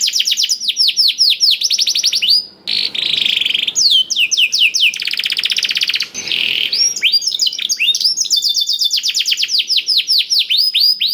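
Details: Canary tutored with blackthroat song, used as a lure to make canaries sing quickly: rapid series of high descending whistled sweeps alternating with dense buzzy trills, near-continuous phrases with two brief pauses.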